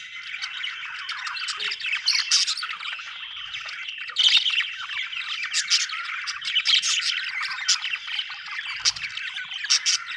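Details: Australian budgerigars chattering continuously, a rich mix of warbled chirps, short squawks and high clicking notes from several birds, with a brief low knock near the end.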